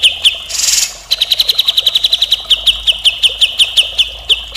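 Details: A Grey-cheeked bulbul, in a tutor recording of full, rough song, gives a rapid run of sharp, high chips, repeated almost twice a second, broken early by a brief harsh rasp.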